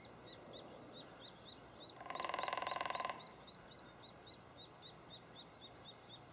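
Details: At a white-headed woodpecker nest cavity in Lassen Volcanic National Park, the nestling chirps loudly and regularly in high, clipped notes, and a brief, fast woodpecker drum roll breaks in midway.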